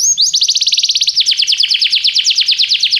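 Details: Canary singing a training song: a fast even trill of short notes that slows into a rhythmic series of clear downward sweeps, about three per second, loud and high.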